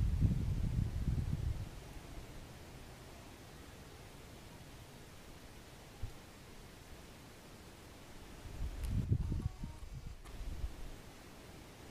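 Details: Only low rumbling wind or handling noise, loudest at the start and again near nine seconds, with no animal voice.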